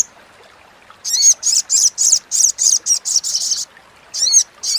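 A Crimson Sunbird chatters in a fast run of about a dozen harsh, buzzy, high notes, then pauses and adds two more.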